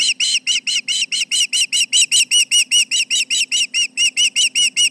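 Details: Osprey at a Charlo nest raising the alarm over nearby intruders, late morning of 29 July 2019: a fast, regular chain of high, ringing whistled notes, roughly two and a half per second, sustained throughout.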